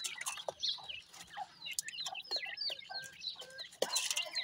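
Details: Several young grey francolin, the desi teetar, chatter in thin, high, quickly repeated peeps. Brief rising and falling whistles tumble over one another with scattered clicks, and a sudden loud peeping burst comes late.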